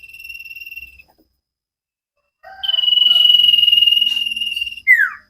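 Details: Cage-bird training recording of a common iora (cipow sirtu): a high sustained trill, a pause, then a louder rapid pulsing trill with low chatter, ending in a sharp downslurred whistle.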